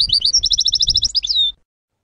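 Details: A European goldfinch chant taken from a song-segment tape: a rapid string of about fifteen evenly repeated, bright twittering notes that run into a short slurred flourish and a long falling whistle, with a faint low hum.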